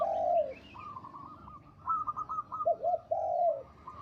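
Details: Local zebra dove with a big, long, melodious voice, singing: a low cooing phrase opens, then a fainter run of short notes, then two lower rolling coos near the end.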